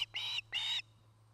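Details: Osprey at its nest in Charlo, Montana, from a camera dated 09-08-2018, giving two drawn-out, harsh, strained notes of about a quarter second each, with a low steady hum underneath.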